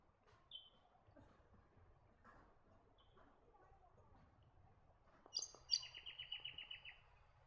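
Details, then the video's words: White-eared Monarch gives two sharp, high notes, then a quick run of about eight buzzy notes that fall slightly, with faint chirps from other birds earlier. "White-eared Monarch"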